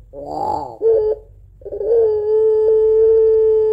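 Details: Barbary dove of the puter pelung type, used as a lure for doves at home, utters a brief rough coo and then a long, even, sustained crying note held over two seconds.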